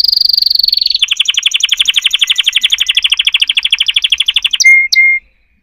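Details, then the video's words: Canary singing a long steady trill of rapid repeated notes after a held high whistle, ending in two clear drawn-out whistles. "chant singing canaries 12 تغريد الكناري"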